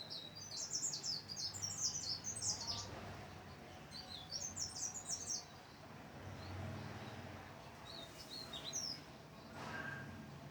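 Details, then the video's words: Mountain leaf warbler singing: quick bursts of high, thin, jumbled chirping notes in short rapid phrases, pausing between bursts, over a steady low background hum. "Suara merdu burung cikrak daun super gacor"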